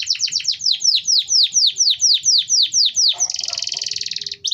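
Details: Canary singing to draw other canaries into song: a run of about fifteen downward-swooping whistles repeated several times a second, then a dense buzzing trill, over soft low background noise.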